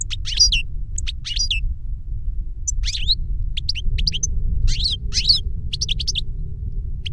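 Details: European goldfinch song from a caged master or its CD-tutored novice in Spanish silvestrismo: scattered bright chirps and twisting whistled notes in short bursts with gaps, low droning hum throughout.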